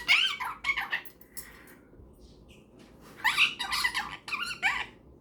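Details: Pet cockatiel's bedtime conversation with a superb parrot indoors: bright, squawky warbles and chirps in two busy bursts with a quiet lull between them.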